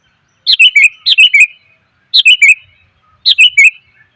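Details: A female sooty-headed bulbul calls to attract males in a lure recording, giving phrases of three falling, whistled chirps, each phrase slipping downward and repeated roughly once a second against silence.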